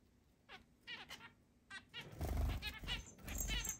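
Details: Zebra finches, eight birds kept in a large home cage, recorded 10 July 2022: a few nasal harmonic beeps followed by denser chattering honks over a rising low rumble of movement.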